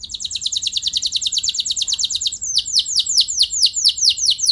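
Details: Canary in long rolling song, intended to rile other canaries into replying: a rapid high rattling trill for over two seconds, then a slower series of sharp downward-sweeping notes at about two per second.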